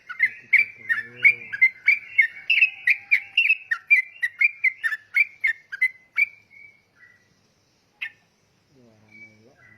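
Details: Lively yellow-vented bulbul song, a fast string of liquid whistled phrases for about six seconds, then a pause, a single note and a soft low human voice at the end.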